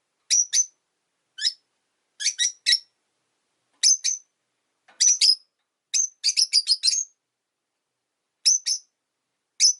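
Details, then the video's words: Irregular shrill chirps from five caged rosy-faced lovebirds kept near a window in winter, mostly single or paired high squeaks about a second apart, with a brief quick cluster midway. "Lovebird Chirping Sounds"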